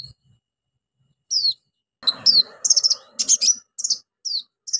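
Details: Orange-headed thrush in lively full song, loud bursts rich in mimicked fillers, used to stimulate silent birds: high falling whistles followed by a rapid cluster of sharp chirps and trills, with a brief softer rattle beneath.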